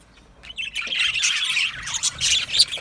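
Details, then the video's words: Happy singing and chirping of Australian budgies in an aviary colony: a short quiet start, then a swelling burst of high squeaky chirps and warbles from several birds. "Australian Budgie singing and chirping sounds"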